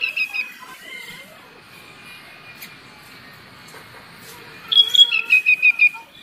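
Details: Kutilang, the sooty-headed bulbul, singing as a lure for lazy birds: bright whistled phrases open the recording, a long faint stretch follows, then six loud, evenly spaced descending whistles close it.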